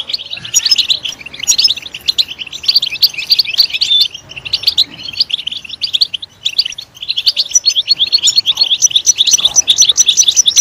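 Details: European goldfinch pushed to chirp in a loud voice: long bursts of dense, jangling twitter broken by short pauses near four and seven seconds, then a faster, ringing stretch to the end.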